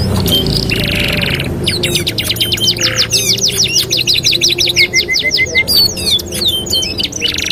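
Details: Training master song of a canary: a buzzy opening burst, then long runs of rapid rolled notes, brief whistled pairs and sweeping slurs, lively and continuous over low background noise.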